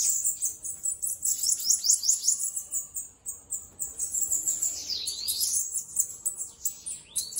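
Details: High, wiry chattering song of a free bananaquit, quick pulses of thin notes, a short lull near three seconds, then a longer sliding, arched phrase.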